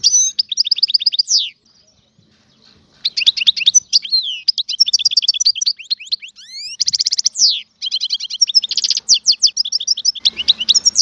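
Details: Algerian goldfinch, a free bird, in full song: rapid high tinkling trills and sweeping slurred notes in long bursts, broken by brief pauses, with a few harsher buzzy rattles near the end.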